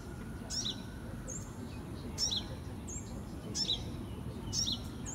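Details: Young sunbird, 2018, repeating thin high chirps in pairs roughly every second, with faint drawn-out very high whistles between them and constant low background hum.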